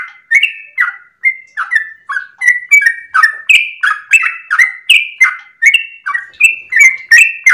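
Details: Sooty-headed bulbul kept at home, singing early in the morning before sunrise: a sustained string of rich, downslurred chirping notes, alternating higher and lower pitches, about three each second, nothing else audible.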